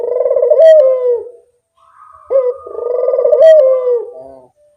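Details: Spotted dove lure sound, two drawn-out throbbing coos, each swelling then dipping at the close, a soft gap between them and a short sharp note opening the second.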